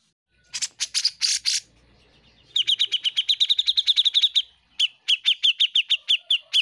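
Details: Grey-cheeked bulbul in lively song, recorded as a master for teaching caged songbirds: harsh noisy notes open, then a fast run of high chirps, and after a short break a slower series of evenly spaced chirps.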